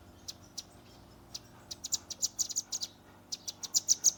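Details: Sharp, high-pitched chips from a young velvet-fronted nuthatch in the 'tembakan' style, caught on a Redmi 10 phone, come unevenly at first, then accelerate into a quick, loud burst of repeated notes.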